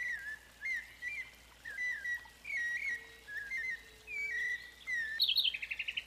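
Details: A White-necked Thrush in Arapongas, Paraná, Brazil, sings a steady series of clear, fluted phrases, each under a second, with high chirps and a quick trill at the end.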